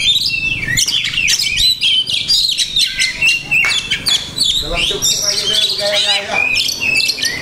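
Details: Kept Oriental magpie-robin singing a rich, varied song full of mimicry, with looping whistles, sharp chirps and rattling bursts tumbling together without pause, faint voices behind.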